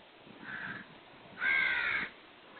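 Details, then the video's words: Black francolin call: a soft, short grating note, then a louder, longer harsh rasping note with clear layered tones, over a low steady background hiss. "KALA TEETAR | BLACK FRANCOLIN | TETAR VOICE"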